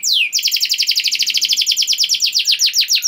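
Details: Canary lure song to get other canaries singing: one long downward whistle, then a steady, rapid rattling trill of identical notes, roughly ten per second, held for nearly three seconds.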